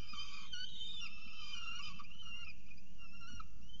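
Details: Early-morning first feeding of peregrine falcons at the nest in Orange, 6:36 am, 21 October 2018. Wavering harmonic whistles overlap continuously with brief sliding inflections, above a loud low-frequency rumble.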